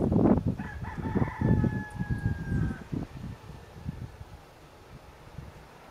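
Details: Rooster crowing in Anguilla in January 2010: one long, steady, drawn-out crow of about two seconds with a faint higher overtone, heard over low thumping and rustling noise that continues after the call.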